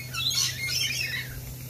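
Lorikeets give harsh, rasping screeches and chattering squawks, overlapping and high-pitched, with a steady low electrical hum beneath.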